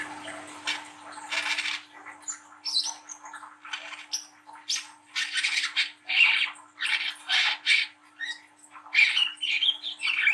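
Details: Brown-throated sunbird, a young spotted bird, delivering a harsh rapid chattering song used as a lure for young birds; rasping bursts run almost continuously with some thin high notes, a low hum behind.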